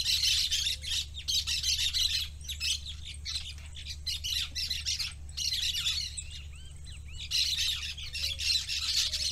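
A parakeet chatters in a fast, continuous run of high, scratchy warbles and chirps, with short pauses, over a steady low hum.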